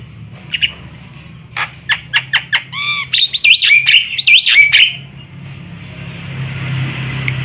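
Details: Javan myna used as a trapping lure, with clicks and a rising burst of harsh, rapidly repeated squawking notes that swoop upward, then fading into low background noise.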